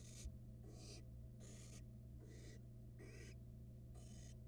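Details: Florida nest box camera, 2022: two barn owl nestlings feeding on rats, giving six rasping hiss bursts in quick succession, roughly every 0.7 seconds, above a steady low hum.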